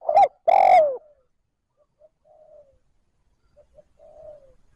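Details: Spotted dove giving 'trơn ròng' style calling to stimulate and lure wild doves: a clipped loud coo note, then a strong falling coo, followed by soft, faint coos in a quiet setting.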